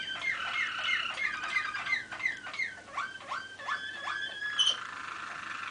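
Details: Malinois waterslager canary singing in 2013: a series of sharp downward-sweeping notes repeated roughly three times a second over a warbling trill, closing with a brief high accent.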